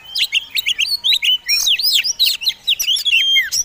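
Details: Combination song of a fighting Oriental magpie-robin, meant to provoke other songbirds: dense, loud whistles with swooping downslurred and upslurred notes tumbling together without pause.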